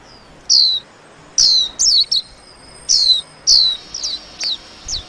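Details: Warbling white-eye giving high, clear down-slurred whistles and short twittering notes, spaced roughly every half second to second, becoming quicker and more clipped toward the end.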